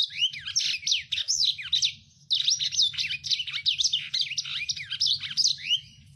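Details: Rough, fast song of a lemon-breasted canary meant for training other birds: a frantic run of high scratchy trills and looping slurred notes, one short break, then more rapid chatter, with a constant low drone behind.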